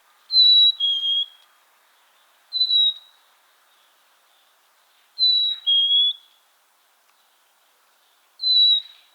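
A Black-capped Chickadee whistles a clear two-note fee-bee, the second note lower, repeated four times about every two to three seconds.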